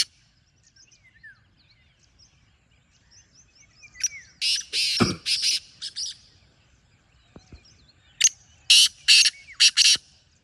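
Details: Wild black francolin giving two harsh calls, each a loud burst of four or five rasping, scratchy notes several seconds apart. Soft chirps from other small birds fill the gaps, and there is a brief thump.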